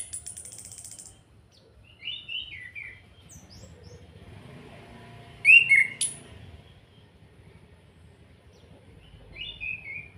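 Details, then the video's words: An orange-headed thrush from Salatiga in kretekan style, meant to provoke rival birds to sing: sparse quiet chirps and short twittering figures, a loud abrupt harsh outburst midway, then a final soft trill after a pause. "Pancingan Anis Kembang Agar cepat bunyi, suara kretekan Ampuh dan Plong, Pancing emosi"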